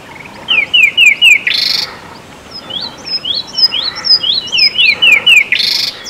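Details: Rattling cisticola (Cisticola chiniana) in breeding season giving loud territorial song to declare and defend its territory: three or four sharp, falling chew notes, then a dry buzzing rattle, repeated twice, with thinner high notes faintly behind.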